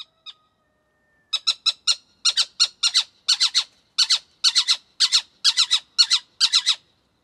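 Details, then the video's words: A Little Owl gives harsh, yelping squawks in quick clusters of two or three, repeated steadily for about six seconds, with nothing else heard. "Little Owl Sounds"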